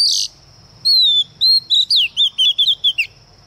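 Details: Female Oriental magpie-robin acting as a lure to provoke males, giving a harsh burst followed by a series of clear, descending and wavering whistles, repeated in quick succession over a steady thin background hum.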